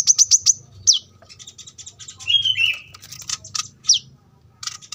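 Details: Kolibri kelapa, the brown-throated sunbird, singing for a cage-bird masteran recording: quick high down-slurred chips, a lower warbled phrase, then jumbled sharp notes, with soft background hum from a roadside setting.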